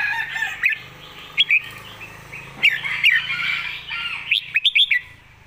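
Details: Red-whiskered bulbul master song: steady dense warbling chatter punctuated by sharp whistled notes, ending in a rapid phrase of four bright notes.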